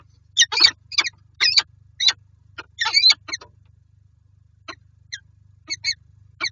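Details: Peregrine falcons at a nest box in Lublin, Poland, January 2023, as the pair meets: a few loud rasping chip calls in short groups, then sparser, fainter notes with gaps, over a low background hum.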